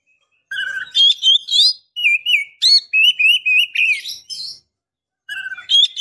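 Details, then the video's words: Female Oriental magpie-robin (kacer) calling to draw a male. Varied clear whistled phrases and chirps, some rising and some slurred, in quick bursts. They run through the middle of the clip, then come back after a short pause. "KACER BETINA Memancing KACER JANTAN"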